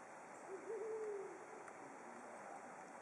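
A single low, slightly wavering hoot from a Brown Wood Owl, under a second long, over a steady hiss of background noise.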